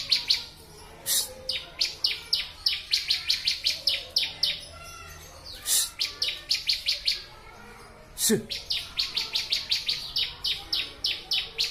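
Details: Bar-winged prinia song on a master recording for training birds: bursts of rapid high chirping notes in quick series, broken by a few sharp broadband clicks and short gaps.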